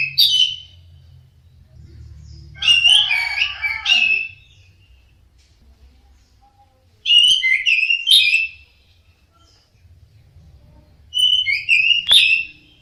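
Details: Orange-headed thrush song used as sound therapy to train caged birds to sing: three bursts of rich, rapid warbled and whistled phrases, each lasting one to one and a half seconds, separated by quiet pauses over a faint low hum.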